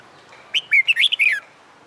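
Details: Caged red-whiskered bulbul in training for fighting song: one short burst of about one second made of quick whistled, warbling notes, bright and clear with sharp rises and falls.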